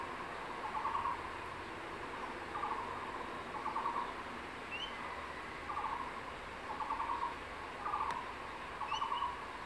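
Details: Crested goshawk male calling the female to the nest area with prey, a tree lizard, on 6 April in secondary forest: a series of soft chattering bursts repeated every second or so over steady background hiss and faint bird whistles.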